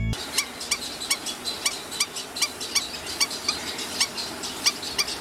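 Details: Eastern cattle egrets in Sri Lanka giving short, harsh, clipped notes, about three a second, like busy colony chatter over a faint hiss.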